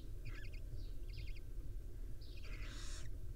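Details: Nest of wild barn owls, a mother tending her five owlets. Quick trilled chirping notes open the clip, followed by a long, loud, rasping hiss near the end, all over a continuous low hum.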